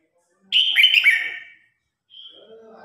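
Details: Competition song of a red-whiskered bulbul calling the flock: a loud, bright burst of slurred, warbling whistles lasting about a second, then a brief thin note and faint low chatter.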